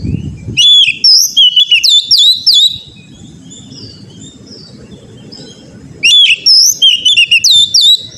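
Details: Oriental magpie-robin, called kacer, in song for training other birds; a loud phrase of high whistles and rapid chips, a long quiet gap, then the phrase again after about six seconds.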